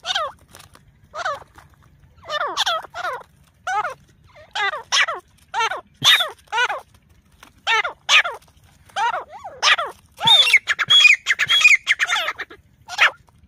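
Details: Grey francolin calling during a fight: a long series of harsh, downward-sweeping notes in quick irregular bursts, roughly a hundred per minute, growing denser and more strident toward the end, outdoors.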